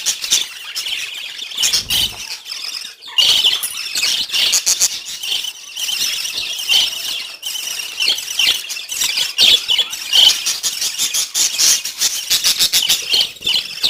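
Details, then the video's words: Morning chorus of pet budgerigars: a long stretch of busy, high-pitched chirruping and squeaky warbling with short clicks and ticks, uneven in loudness, the chatter continuing steadily with brief lulls. "Budgies chirping sound"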